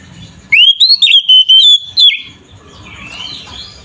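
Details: Kacer, the Oriental magpie-robin, giving a short burst of aggressive 'ngeplong' song to rile rivals: an upward sweep into a run of loud, chopped whistles, then fading into faint distant chirping and low background noise.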